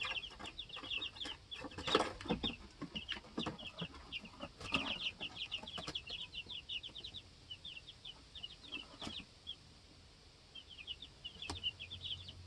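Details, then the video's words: Baby chickens two weeks old on a homestead, hopping and challenging each other for pecking order, peep in dense high chirps, thick early then thinning out, with sharp scratching and knocking clicks throughout. "2 Week Old Baby Chicks Being Baby Chicks"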